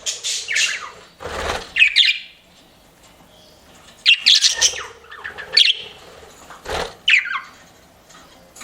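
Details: Several pet budgerigars chirping and flirting, with scattered sharp chirps and short squawky notes separated by quiet gaps, plus a few low thumps and knocks.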